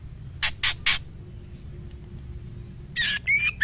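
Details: Female white-rumped shama calling the male: three loud harsh chacks, a pause, then another rasp and a rising whistled note.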